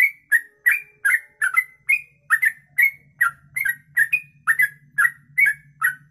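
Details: Sooty-headed bulbul singing a long 'kongslet ropelan' style song, used for tutoring other birds: rapid bubbly, slurred whistled notes, about two or three each second, in a continuous chain, with a steady low hum underneath.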